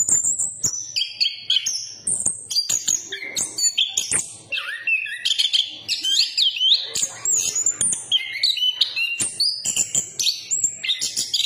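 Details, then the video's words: Chestnut-capped thrush, a songbird of Southeast Asian forests, singing a fast, varied run of high whistled and sliding notes that jump between pitches, broken by sharp clicks throughout. "Burung Anis kembang berkicau"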